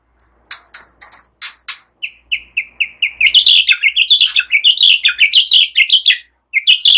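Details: A white-rumped shama, mimicking other songbirds and used as a lure, opens with sharp clicking chips, then evenly spaced bell-like notes, then fast, varied, high warbling; no other sounds; White-rumped shama.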